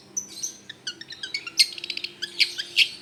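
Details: Long-tailed shrike song used as a lure: rapid varied chirps and sharp high notes in quick irregular bursts, some buzzy, with a faint steady low hum underneath.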